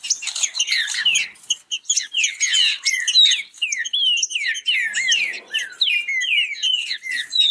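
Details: Fast song in competition from kept green-winged saltators: crowded volleys of bright, rising and falling whistles and chips, barely pausing, several voices overlapping throughout.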